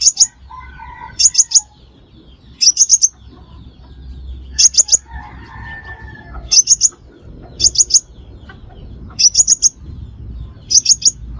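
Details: Crimson sunbird call used as a lure for trapping: short bursts of two to three high, sharp chips, repeated about every one and a half seconds, with faint lower bird notes early on.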